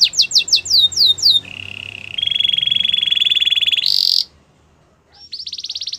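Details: Belgian canary singing, played to coax a silent canary into song: rapid descending whistled sweeps, then a long flat buzzy roll that jumps higher, a brief silence, and a fresh high trill starting.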